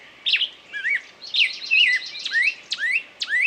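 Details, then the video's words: Bird sings quick slurred whistles, several sharp notes plunging then rising, roughly two per second, interspersed with softer twitters. "пение птицы"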